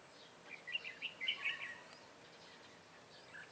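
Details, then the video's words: Red-whiskered bulbul of the 'Má trắng' type, recorded during bird trapping on 23 June 2018: one short burst of bright, chirpy warbled notes lasting about a second, then quiet background hiss. "Bẫy chào mào Má trắng xòe xoẹt cúp cầu"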